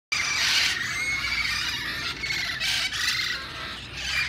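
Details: Wild parrots in Sherman Oaks, San Fernando Valley, giving harsh, grating screeches that overlap into a continuous noisy chorus, with louder bursts near the middle and the end.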